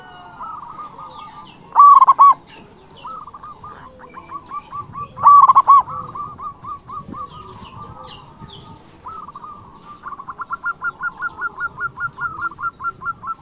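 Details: Local zebra dove song used to call rivals and stir other doves: two loud rolled coos among long runs of softer staccato cooing, ending in an accelerating series.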